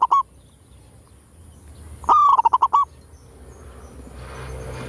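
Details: Zebra dove in full kerot style used as a lure: a brief opening note, then a rolling coo of rapid staccato pulses lasting under a second, with quiet background hiss afterwards.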